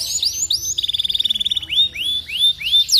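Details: Canary singing to prompt other canaries to join in: high falling slurs, then a quick even trill of repeated notes, followed by rising upslurred whistles repeated about every quarter second.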